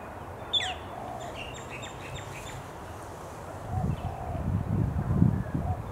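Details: Male Australasian figbirds at Hawthorne Canal Reserve, a Sydney, NSW recreation area, in late July 2017: a sharp downslurred note, then rapid high chattering chirps, later masked by rising low rumbling noise.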